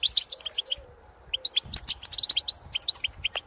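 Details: Wild European goldfinches in the field calling to others of their kind: bright, clipped twittering notes in quick bursts, several tinkling chirps overlapping, a brief pause near one second before the chatter resumes.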